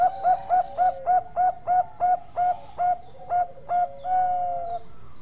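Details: Zebra dove, Bangkok perkutut type, singing vigorously: a long rhythmic string of about eleven short, mellow coos, roughly four per second, then one long trailing coo.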